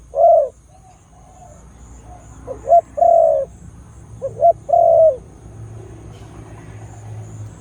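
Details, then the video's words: A Khmer dove with a big sound cooing three times in quick succession, each phrase short rising notes then a sustained mellow coo, followed by a stretch of low background rumble. "The sound of Khmer Dove and big sound / លលកខ្មែរសម្លេងធំ"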